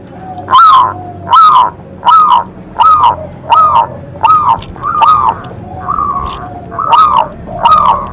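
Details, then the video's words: Local zebra dove giving a steady series of loud, hoarse rising-then-falling coos, about one every three quarters of a second, over a low rumbling background. "perkutut lokal gacor Suara Besar Suara Ampuh bikin Manggung"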